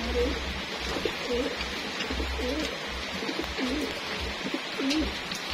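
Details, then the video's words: Racing homing pigeons at feeding time, kept in a loft and readied for next year's races, give soft wavering coos again and again over a steady low hum. "rutinitas di pemberian makan merpati pos resing"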